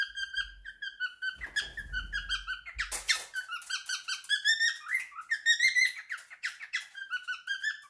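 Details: Pet male cockatiel, three years old, singing his favourite song indoors: a run of warbled harmonic notes with rising and falling slurs, a brief low rumble and a burst of noise near the start, then steady chirpy phrases.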